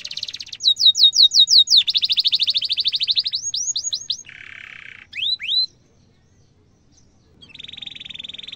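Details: Domestic canary singing tight rolls and 'cuit cuit' phrases as a lure for young birds: sharp descending whistles, a fast buzzy trill, more whistles, a harsh rattle, a short silence, then a steady high buzzing roll.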